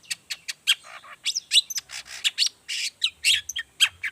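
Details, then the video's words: Lure song of a long-tailed shrike in the lively 'toet toet' variation used to prompt other shrikes to sing. Dense, rapid chatter of high chips and short buzzy notes with no pauses. "pancingan cendet gacor toet toet variasi"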